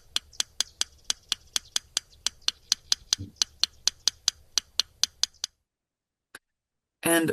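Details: Yellow Rail ticking call in a prairie marsh: about twenty sharp, dry clicks over five seconds, like two stones tapped together, in a rhythmic tick-tick pattern unlike a bird; a single tick and a burst of voice follow.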